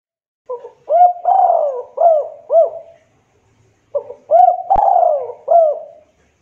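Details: Javanese local spotted dove, played as a lure that other doves answer: two soft, mellow cooing phrases, each a quick pickup note, a long gliding coo and two rounded notes, with a brief click in the second.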